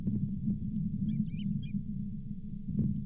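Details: Osprey at the Charlo nest, 31 July 2023, with the fifth fish of the day, a lake whitefish. A brief run of soft, high, slurred chirps sits mid-way over heavy low wind rumble and occasional knocks.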